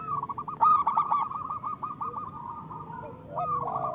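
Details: Zebra dove song for prompting captive doves to sing: a long, fast-rolling coo trill that fades, then a fresh phrase starts near the end.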